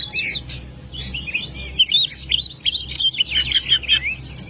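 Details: Oriental magpie-robin giving 'gacor' masteran song to stimulate lazy birds: quick sequence of whistled slurs and chips, building to a fast, densely repeated phrase toward the end, low hum in background.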